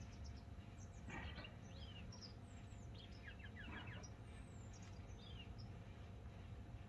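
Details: A grey wagtail, eating and singing, gives thin, high, sharp chirps and short twittering notes in loose bursts over a steady low rumble, possibly running water.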